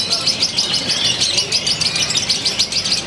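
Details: Contest lovebird from Purwakarta, Indonesia, with a new unusual style and very tight pauses, delivering rapid, squeaky, high chattering phrases pulsing about three times a second in a steady, dense run.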